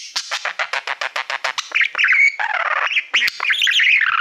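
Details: Pet male budgerigar singing to a mirror-like silver plaque: a rapid run of evenly spaced clicky chirps, about four a second, then a busier chattering warble with squeaks and a sustained buzzy note.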